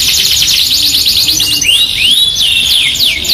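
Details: Yorkshire canary song as a masteran: a quick rattling trill, then slow, clear rising-and-falling whistles stretched out like glides.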